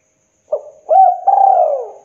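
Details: Spotted dove cooing in KUK 2 style for luring: a short coo, then a fuller, rounded note and a long, slowly descending drawn-out coo, with the next phrase just beginning. The recording is clean and quiet.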